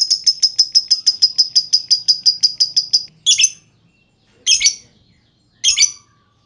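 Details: Lovebird used as a lure so other lovebirds start singing, giving a steady ticking run of high notes for about three seconds, followed by three harsh, broad chirps spaced over a second apart.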